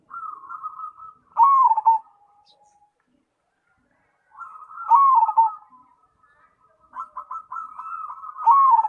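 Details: Cemani zebra dove (perkutut) gives a repeated song phrase: a purring trill leading into a loud, falling, wavering coo, about three times in nine seconds.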